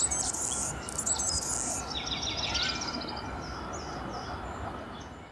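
Anna's Hummingbird gives a thin, scratchy, very high song of buzzy chips and squeaks, tailing off into short high notes over steady low background noise.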